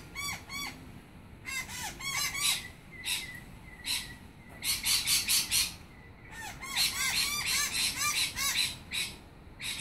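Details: Several noisy miners give alarm calls at a snake: harsh, rasping chatter in rapid bursts, about two or three a second, mixed with sharp piping chirps.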